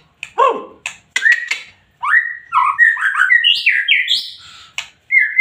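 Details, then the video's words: Loud, emotional song of a white-rumped shama: a few sharp clicks and a low swooping note, then a rich run of rising and falling whistled warbles ending in a clear whistle. "MURAI BATU GACOR PLONG FULL EMOSI TINGGI"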